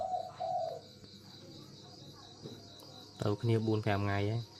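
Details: Caged breeding pair of spotted doves kept for breeding; a low, hollow, repeated cooing phrase near the end, preceded by a brief higher whine, with a faint steady background hum and some chirping.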